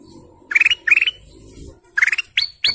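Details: Golden canary singing in short bursts of rapid, evenly pulsed trills, each under a second, with final notes sweeping sharply upward into a higher pitch; a faint low hum underneath.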